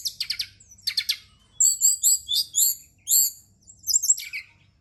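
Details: Brown-chested jungle flycatcher heard as night-time singing therapy: clusters of dry, rapid high clicks and chirps, then louder ringing, whistled phrases repeated a few times with short gaps.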